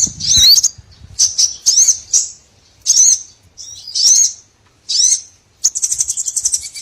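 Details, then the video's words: Lure recording for trapping small birds: short separated bursts of high, sharp chirps with twisting whistled notes, each burst about a second apart, ending in a quick buzzy series of rapid ticking notes. "MP3 BURCIL COCOK UNTUK PIKAT SEGALA JENIS BURUNG KECIL"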